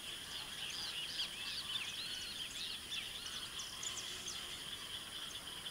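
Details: Saffron finch in the Pantanal, Mato Grosso, sings a busy, run-on string of short, high chirps and slurred notes over a steady high-pitched hiss.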